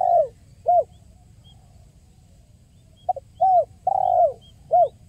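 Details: Spotted dove, called tekukur, a recording meant to lure birds: two phrases of low falling coos, each a soft pickup note then longer hoarse coos, separated by a quiet gap.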